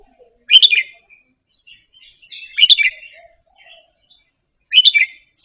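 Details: Red-whiskered bulbul of Indonesian type, kept caged, softly practising a double phrase. Loud sharp chirped bursts come about every two seconds, separated by faint twittering notes.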